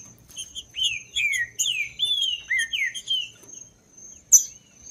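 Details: Green-winged saltator song, played to warm up other saltators and get them singing: a run of rich, slurred whistles that rise and fall in quick succession, then a pause and a sharp click, over a steady high-pitched whine and light chirping.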